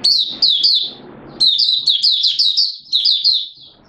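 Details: Malaysian oriental white-eye, called mata puteh, in open song in Singapore on a warm humid day with sudden showers, March 2023; a rapid chain of bright, high, down-slurred chirps run together into a continuous twittering phrase.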